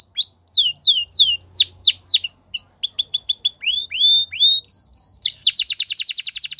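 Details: Training song of a Belgian canary, a string of clear downward-sweeping whistles, short rising notes and quick paired chips, finishing with a dense rapid trill of repeated notes.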